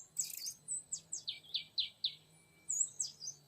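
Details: Young male wild oriental magpie-robin being lured in forest: a short harsh burst, then a regular series of about five clear downslurred whistles roughly every quarter second, ending with higher sweeping notes.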